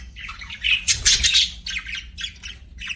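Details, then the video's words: Singing budgies give short warbled phrases, then a loud harsh squawky burst around the first second, followed by separated chirps. "BUDGIES SINGING & CHIRPING"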